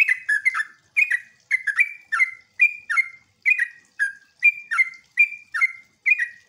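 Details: Sooty-headed bulbul giving a lure song to draw replies from other bulbuls, nembak and jogjog style: evenly spaced, bright, slurred double notes, about two each second, with clean pauses between.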